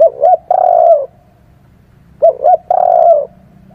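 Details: Spotted dove calling as a lure for trapping: two low cooing phrases, each a pair of quick hollow notes then a sustained falling coo, separated by a quiet gap over a soft background hum.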